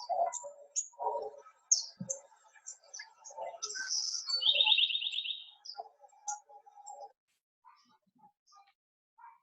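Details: A house wren from Arizona sings a jumbled, bubbly phrase of high chips and a fast buzzy trill, an example of regional song dialect. Lower murmurs from an indoor room run underneath.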